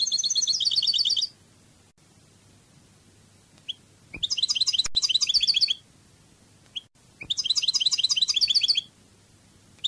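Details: European goldfinch in the Cádiz language of Spanish goldfinch song: three long, dense, rattling-trilled phrases, each about one and a half seconds, with faint soft chips and a few clicks between them.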